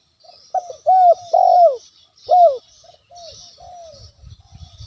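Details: Lure-calling spotted dove meant to stir a rival's aggression: a phrase of rich, falling coos led by short clipped notes, then a softer trailing series of quieter coos, with faint hiss and some low rustling near the end.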